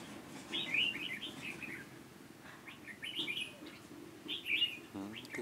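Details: Decoy red-whiskered bulbul singing at a trap for wild birds in Hòa Bình, Vietnam, on 18 November 2017: three lively bursts of liquid, warbling notes, each followed by soft, descending chatter, over a low background hum.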